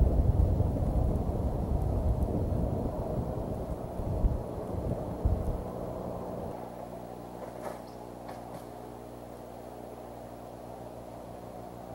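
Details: Low, steady engine-like rumble and broadband noise, fading into a softer hum with a couple of faint clicks; no animal voice stands out.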